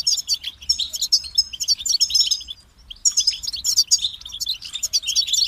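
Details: European goldfinch motivating song: a high, twittering phrase of jingling notes, a short silent break, then a second phrase of bright chirps and buzzy trills.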